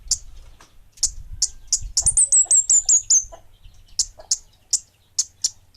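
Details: Orange-headed thrush of the bunga api kind in lively song: scattered high chips, then a brisk volley of about eight ringing down-slurred whistles, and more evenly spaced sharp chips roughly every half second afterwards, low rumbling beneath.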